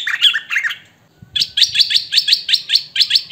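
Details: Hwamei singing "thơm mồi" style: two slurred warbles, a pause, then a rapid, regular series of high piercing whistled notes repeated several times per second.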